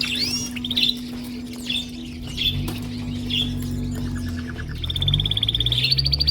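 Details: A chorus of male canaries singing to impress: short scattered whistled notes over a steady low hum and low rumbling, ending in a rising rapid trill.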